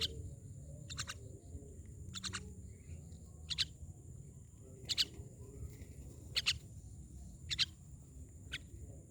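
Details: Rasping myna notes in clustered twos and threes, separated by pauses of about a second, against a continuous low background drone.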